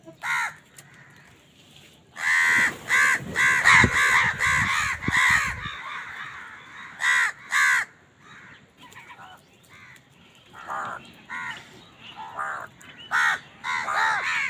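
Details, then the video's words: Crows fighting for food: a rapid, overlapping volley of harsh caws from several birds, dense for a few seconds, then scattered single caws and softer calls continuing at an uneven pace. "Crow bird crowing sound"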